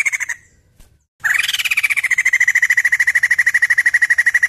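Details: Vocal white-crested laughingthrush, its song used to coax other birds into singing: a brief chatter, a pause, then a sustained fast rattle of strident pulsed notes holding a steady pitch to the end.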